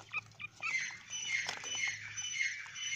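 Grey francolin chicks give a busy stream of thin, high cheeping notes, overlapping at a quick, uneven pace, with a faint low hum underneath.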